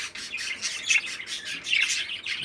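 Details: A captive 13-day-old baby parakeet, kept by a breeder and described as healthy and strong, gives a steady run of harsh, raspy, hissing chirps with barely a pause between them.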